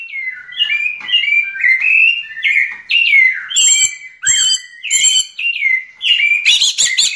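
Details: Yellow-legged thrush singing in the song style called diamante negro: a continuous run of varied whistled and warbled phrases, some sliding downward, others with thin high overtones, about two phrases per second, ending in a harsher, buzzier burst.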